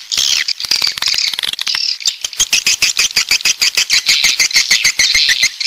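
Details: A coastal southern swiftlet flock with high twittering chirps over a steady train of rapid dry clicks, roughly two per second, that grows more regular midway.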